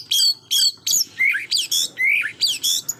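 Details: White-rumped shama song used to provoke a rival bird into anger: loud, sharp, high notes repeated about every half second, some whistled and sliding, others buzzy and harsh, with full bursts like rapid shots.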